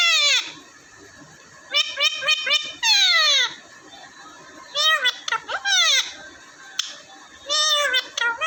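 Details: Pet parrots in Vehari, Punjab, Pakistan, two raw and one ordinary, vocalize in loud clustered bursts of steeply falling, harmonic screechy notes separated by short quiet gaps.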